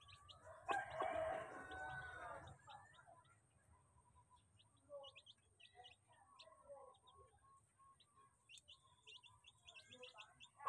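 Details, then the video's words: A crowd of domestic chicks at home during feeding: many faint, thin high chirps scattered rapidly through the recording, with a burst of rustling noise near the start. "crowd of chick chick feeding"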